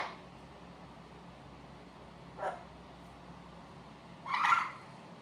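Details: Pet blue-fronted amazon parrot making noise and chatting to himself indoors: two short, breathy, broadband squawk-like vocal bursts, the second louder and longer, separated by quiet room tone.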